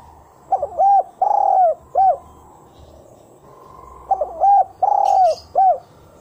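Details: A spotted dove gives a lure call of the single-coo type: two mellow coo phrases, each a short note, a quick note, a long drawn coo, then a short closing note, repeated after a pause.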